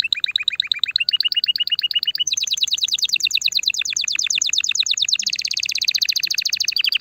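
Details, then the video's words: Canary song for stimulating a female to breed: low steady trill, then a fast high rolling trill, shifting to a dense buzzy tour and a final quick trill. "Chant de CANARI pour STIMULER la FEMELLE"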